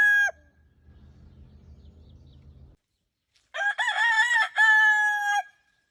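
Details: A Leghorn rooster crows: the clipped end of one crow, soft shuffling, a pause, then a two-second crow beginning with wavering, stuttered syllables and ending in a long, steady, loud harmonic note.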